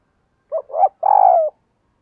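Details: Decoy spotted dove calling wild doves: a single phrase of two quick rough notes followed by a long, even, slightly falling husky coo. Clean and close, with silence around it.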